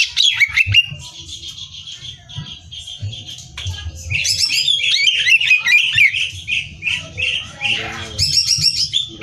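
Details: Competition-training song of a greater green leafbird: quick whistled phrases and trills, a long run of warbled rising notes, then harsh chattering bursts, over low background thumps.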